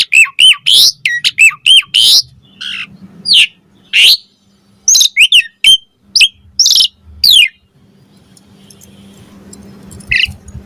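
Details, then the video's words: Asian pied starling singing, meant as a master recording to coax starlings into replying: bursts of squeaky, hooked whistles and harsh chirps for about seven seconds, then quiet with faint low hum. "Suara Jalak Suren Bakal Langsung NYAUT Buat Masteran & Pancingan Burung Jalak Agar Gacor Full Isian"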